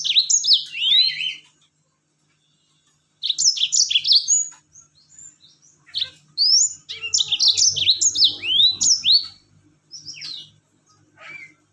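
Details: Yellow-fronted canary song played as a lure to get other birds singing: fast bursts of high, sweet, slurred chirps and warbled phrases, pausing and resuming, with a faint low hum underneath.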